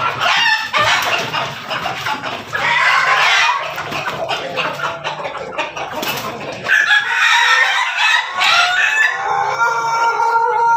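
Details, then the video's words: Backyard-kept crossbred chickens of Pelung, Bangkok and Ketawa lines crowing; loud harmonic crows overlap with clucking and busy chatter from several birds, followed by a long, strong crow in the second half. "ternak ayam di halaman belakang hasil persilangan pelung bangkok ketawa berkokok"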